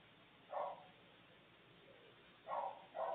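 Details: Maritaca chick calling from the nest on a live camera: one harsh nasal squawk, a long pause with a faint murmur, then two more rasping calls close together; steady low hiss throughout.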